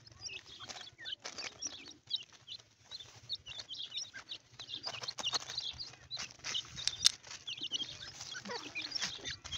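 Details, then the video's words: Several partridge chicks calling: busy, high-pitched cheeping in quick overlapping bursts, rising and falling in intensity, over a faint low background hum. "teeter ke chiecks"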